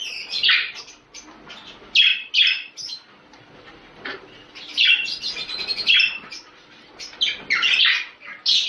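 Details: Budgerigar calls meant to encourage mating: separate bursts of scratchy chirps and squeaky warbles, spaced about a second apart, with quiet gaps and a few louder clusters.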